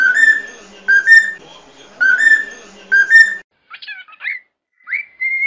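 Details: Cockatiel singing for song training: steady level whistled notes given in paired bursts, then a quieter run of quick chirps and a short rising whistle after a brief silence.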